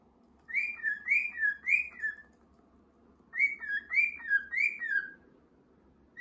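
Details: Two runs of three or four clear, swooping whistles from pet cockatiels kept at home, each note climbing then dropping, the runs split by a short silence.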